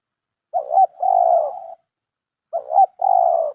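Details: Red collared dove whose crisp voice, called mersik, made it the target bird that was caught: two separate cooing phrases, each a short rolling note followed by a longer, purring low coo, about two seconds apart.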